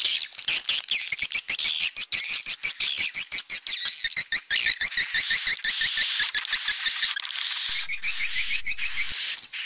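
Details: Swiftlet calling, rapid high chirps over sharp ticking pulses at first, settling into a steady thin whistled twitter toward the end.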